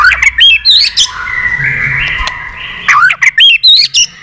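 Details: White-rumped shama, an old bird from the wild, roused to sing in a contest. Its tail beats continuously. Sharp rising whistles open and close the passage around a sustained, wavering mid-pitched tone.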